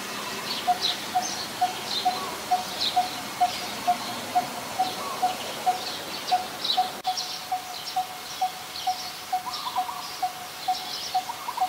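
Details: Coppersmith barbet, a very common resident, recorded in Ubon Ratchathani, Thailand, on 2 January 2021: a steady series of hollow, low 'tuk' notes repeated about twice per second throughout, over faint high chirps and a rustling background.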